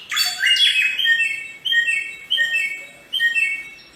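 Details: Bare-throated whistler singing in the wild: a bright burst of sweeping whistles followed by repeated clear steady notes, each phrase fading before the next, over a faint hiss.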